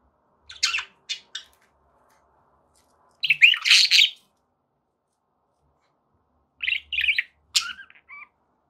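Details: Pet budgies indoors giving short bursts of chirps and scratchy warbles separated by silent pauses of a couple of seconds.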